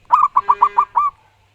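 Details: Loud, clear song of a local wild-type zebra dove (perkutut) in full voice: six quick, rounded cooing notes, the last slightly drawn out, with a faint steady low tone underneath.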